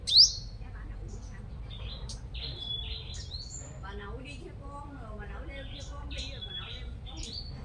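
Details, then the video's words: Decoy five-coloured sunbird from Đồng Nai, Vietnam: one loud high rising sweep opens, then a long run of fainter, busy high twitters and trills over low background rumble. "Chim Hút Mật 5 Màu Mồi Siêu Hót"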